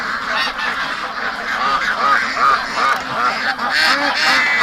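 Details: Penned domestic ducks calling to be let out while their keeper is leaving, on a rainy day; a dense flock chorus of rapid, overlapping nasal quacks, several per second, with brief human speech.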